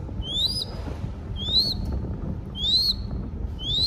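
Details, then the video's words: Young crested goshawk being hand-fed in captivity in Cambodia gives high, upward-slurred whistles, four calls spaced roughly a second apart, each ending in a brief thin tail, against a steady low hum. "Feeding Baby Crested Goshawk / ឲ្យចំណីកូនស្ទាំងអឿនអិន"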